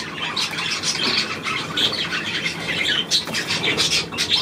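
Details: Budgerigars, 9 February 2024: loose squawks and chirps among softer twittering, with sharp whistled notes standing out near the end and some low background murmur.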